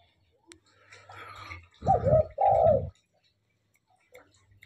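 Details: Tame spotted dove singing vigorously. It gives two loud, hoarse cooing notes back to back mid-clip, each lasting about half a second. A fainter murmur comes before them, and the rest is near silence.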